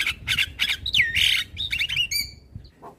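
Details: White-eyed black-winged starling in morning song for training other birds: grating squawks and a downward-sliding whistle, then a few quick rising chirps and a thin steady whistled note.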